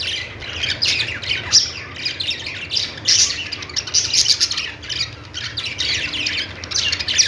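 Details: Budgerigars, also called parakeets, kept as pets, chirping together in a dense, continuous chatter of high squawks and twitters, with no pauses between the overlapping voices.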